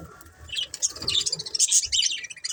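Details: Pet budgerigars giving a short run of high, scratchy chirps and squeaks that grows louder toward the end, over a low background rumble.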